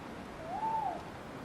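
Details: A single soft, hollow hoot from a male tawny owl hooting at the moon in woodland, where other birds mob him as a threat to their chicks; it rises slightly and falls away in about half a second over faint hiss.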